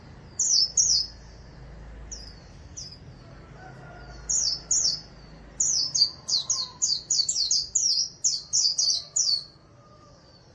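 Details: Caged ornamental white-eye singing 'líu': scattered high chirps at first, building into a dense, quick sequence of sweet descending notes near the end; light low rumble underneath.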